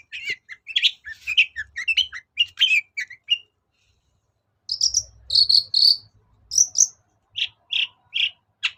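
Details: Shrike lure recording, long-tailed shrike, for getting reluctant birds to sing: a run of fast scratchy chattering notes, a pause, then clear whistled notes and evenly spaced harsh single calls.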